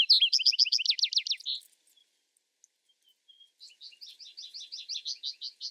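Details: Vesper sparrow: the closing, rapid slurred trill of one song ends in a buzzy note, then after a pause faint whistles open another song, which runs into a softer, steady series of repeated chips.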